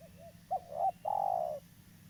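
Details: Local spotted dove, a lively caller suited for use as a lure in trapping, giving soft low coos: a short opening note, a rising double coo, then a long, slightly wavering coo, against a low steady hum.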